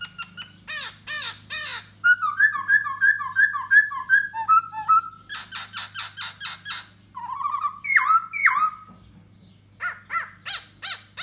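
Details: Da bò laughingthrush in courtship display for a female, singing with dance: sharp repeated notes, a string of about eight even whistled phrases, dense chattering bursts and looping slurs, with a low hum beneath.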